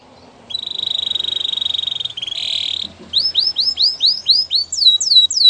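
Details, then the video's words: Canary singing a training song: a sustained steady buzzing trill held for over two seconds, then a series of rising and falling whistled sweeps repeated about four per second, with faint background hiss. "Canary's most powerful song for training | Canary sounds"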